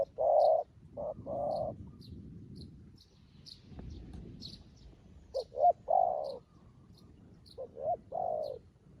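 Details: New decoy dove trained on the ground to call wild doves to a trap; irregular groups of low, hollow coos mixing quick short notes and longer ones, with faint high bird chirps throughout.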